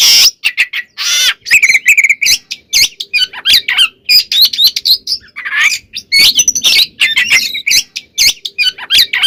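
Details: White-rumped shama singing vigorously with rich fill-in phrases, used as a bait song to fire up other shamas: a dense, unbroken stream of harsh squawky notes, rasping chatter and quick whistled slurs, loud and close.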